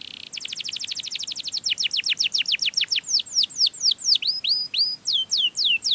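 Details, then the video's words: Sweet canary song for calling in other canaries: a steady run of fast downward-sweeping notes that slows into spaced, looping, rising-falling whistles. "suara burung kenari yang merdu untuk pancingan burung sejenisnya"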